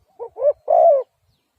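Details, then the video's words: A single spotted dove phrase: two short soft coos leading into a longer, louder, slightly falling coo, clear against silence. "Sound Of Spotted Dove is so good"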